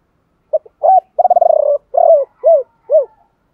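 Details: A decoy spotted dove gives the 'three hậu' calling coo in the 'thổ pha' voice. A brief double note leads into a long rolling, quavering coo. A held note follows, then three separate downward-arching hoots, all low and mellow.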